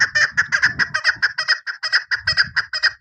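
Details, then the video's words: Female chukar partridge used in hunting: a rapid, unbroken series of harsh, clucking chuck notes, roughly two per second or faster, evenly loud and sharply pulsed throughout, with no other sounds. "SHIKARI Madi Female Chakor Awaz Sound شکاری مادی چکور آواز"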